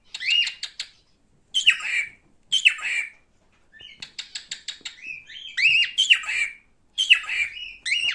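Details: Male cockatiel in captivity giving raspy downslurred calls, followed by a run of rapid clicking pulses and rising whistled notes, then more harsh screechy calls.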